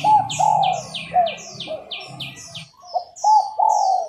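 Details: Female spotted dove cooing to excite male doves into song: clear, hollow, drawn-out coos in a broken phrase, while another bird repeats fast, high, downward-slurred chirps.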